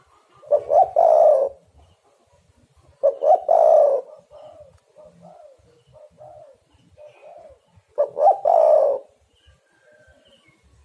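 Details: Lure recording of a spotted dove, Java, meant to attract birds for trapping: loud rough three-part coo phrases repeated roughly every four to five seconds, with softer short coos between them.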